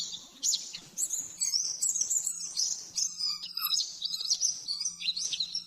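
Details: Caged-bird training master song of an oriental white-eye, 'nembak-nembak' style: varied high whistles with sharp up-and-down sweeps and brief pauses, some lower single notes in between, over a faint constant hum.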